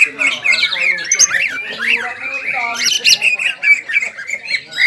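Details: Caged greater green leafbird sings jamtrok and ngobra, driven by breeding arousal; dense chattering song of sharp up-and-down slurred notes delivered without pause, with buzzy harsh overtones throughout.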